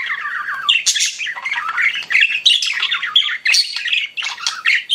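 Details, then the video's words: Pet budgies chirping indoors, a continuous mix of scratchy warbles, squawks and bright high chirps in quick irregular bursts, several birds overlapping. "CUTE PET BUDGIES CHIRPING"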